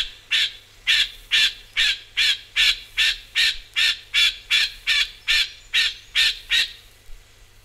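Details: Rufous Scrub-bird repeating strident, rasping chip notes about twice a second, fourteen in a row, loud and even before stopping abruptly.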